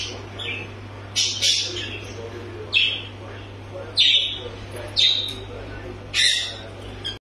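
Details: Newly arrived, hand-reared, very tame Monk (Quaker) parakeets at a bird shop in Bentleigh East, Victoria, give harsh, scratchy squawks in short bursts about every second, over a low steady hum.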